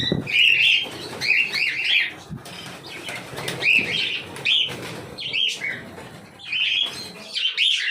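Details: Lively series of cockatiel chirps, arched, slightly buzzy notes delivered in quick clusters throughout, with soft rustling and clicks between them.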